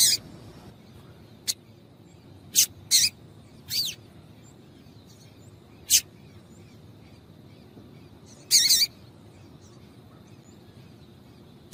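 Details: A female double-collared seedeater gives short, high, sharp chips, about seven spaced irregularly over twelve seconds, in a quiet setting. These female calls are played to stimulate male seedeaters to sing.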